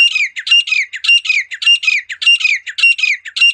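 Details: Natural call of a wild female partridge: a steady series of harsh, grating double notes, each with a brief whistled tone, repeated nearly twice a second in an even rhythm.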